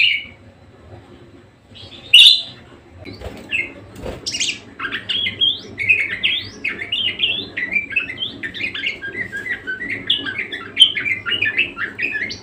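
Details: Budgerigar singing vigorously: a few loud scratchy squawks and chirps at first, then a dense, continuous chattering warble of quick squeaky notes.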